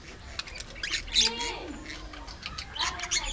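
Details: Aviary budgies chattering: rapid, scratchy high twitters and squawks overlap, with a pair of smooth gliding tones rising and falling in the middle, all over a steady low background noise.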